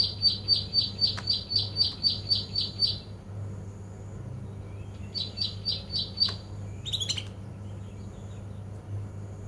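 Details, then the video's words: Young male canary twittering in the morning: a rapid run of bright, evenly spaced chip notes, about four per second, in two bursts separated by a pause, ending in a brief harsh rasp, over a steady low hum. "kenari jantan paud ngeriwik pagi hari"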